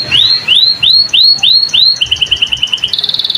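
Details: Canary singing a varied, ornate song: loud upward-swept whistles repeated in a steady series, shifting into a fast run of short clipped notes and ending in a rapid buzzing roll, high-pitched throughout.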